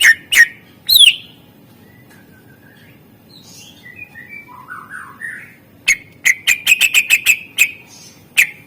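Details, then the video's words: Master recording of a greater green leafbird fill-in song used to prompt quiet birds to sing. Loud notes and a falling whistle give way to soft, lower warbled phrases, then a fast burst of sharp repeated chips. "Cucak ijo gacor SUARA ISIAN masteran untuk pancingan burung yang malas bunyi"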